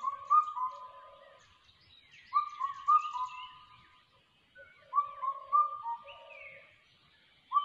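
Changeable hawk-eagle chick giving short bursts of two or three shrill whistled notes, repeated every two to three seconds, with other small birds chirping higher behind.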